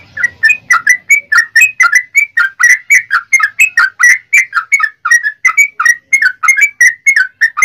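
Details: Sooty-headed bulbul in a long rapid 'ropel' song used to provoke other bulbuls into singing: a steady run of loud, clear whistled notes, each briefly rising or falling, about three or four a second, with a faint low rumble at the start.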